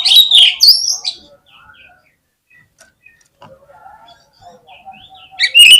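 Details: Oriental magpie-robin lure song aimed at drawing song from other birds: loud sweeping high whistles at the start, a quiet stretch of faint scattered notes, then a loud whistled burst again at the end.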